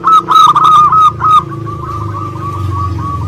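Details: Local Indonesian zebra dove giving one loud stuttering coo phrase lasting just over a second, followed by faint rippling coos and low rumbling background noise.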